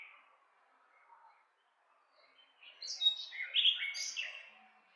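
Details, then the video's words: About two seconds of near silence, then a nightingale bursts into a short, loud phrase of high whistled and chirped notes that rise and fall quickly. "Cantec de privighetoare - Nightingale's song"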